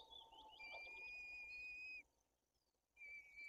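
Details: Feeding of white-tailed eagle chicks with fish at a Bory Tucholskie nest, Poland, the older chick aggressive; a steady, level high whistle held for about one and a half seconds, resuming after a pause, over faint noise.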